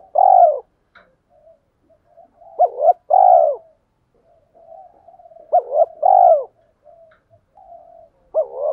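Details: Cooing decoy spotted dove, gáy gọi and thúc styles meant to excite newly trapped birds: loud arched coos grouped in phrases roughly every three seconds, with soft low murmuring between them.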